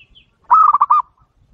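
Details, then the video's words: Local zebra dove cooing in one short burst: a rapid string of four or five soft, rolling notes at a steady low pitch, with near silence before and after. "masteran perkutut lokal TER AMPUH jamin langsung nyaut dan ikut bunyi"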